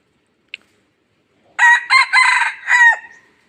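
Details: Decoy red junglefowl from Laos, kept to lure other wild birds in, gives a single crow of four harsh, strained bursts over about a second and a half, the last one dropping in pitch. A faint click comes just before it, against otherwise quiet surroundings.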